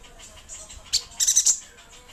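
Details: Yuhina from Kalimantan in lively song: a short, faint, very high chirp near the one-second mark, then a dense burst of rapid high twittering notes lasting about a third of a second, over quiet background hiss.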